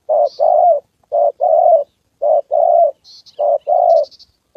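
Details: Trained decoy spotted dove in a trapping session against a wild rival male and a female: four loud paired coos, each a short note followed by a drawn-out one, plus faint high bird chirps.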